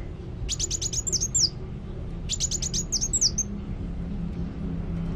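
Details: Two brief bursts of rapid high chips ending in a downslurred whistle, from a sunbird known as kolibri wulung singing actively, over a steady low background hum.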